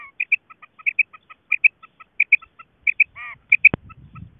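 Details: Female quail call, linked to quail hunting: crisp, high, clipped notes in quick pairs, repeated steadily over a quiet background, broken once by a sharp knock and brief low rustling.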